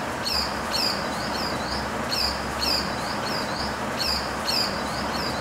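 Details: Pied falconet, also called panda bird, a sparrow-sized raptor: thin, high squealing notes with faint harmonics, given in short pairs and clusters about every one and a half seconds over a steady broad hiss.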